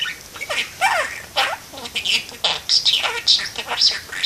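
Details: Parakeet in a window talking: a rapid string of speech-like squawky syllables with bending whistled tones and sharp high chirps, repeated in quick succession.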